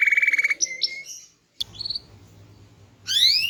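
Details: Small-bodied canary singing loudly and melodiously with varied phrases: a fast pulsed trill, short whistled notes, a brief pause, then a rapid burst of rising sweeps at the end.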